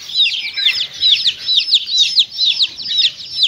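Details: Feeding chicks alongside a mother hen, giving loud high peeps in quick overlapping bursts that pulse every half second or so.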